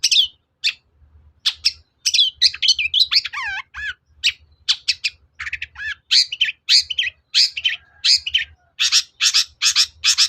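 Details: Lure song of a long-tailed shrike, played to stir another shrike to respond. Scattered sharp chips lead into a descending run of wavering whistled notes, then dense harsh rasping phrases and loud buzzy bursts near the end.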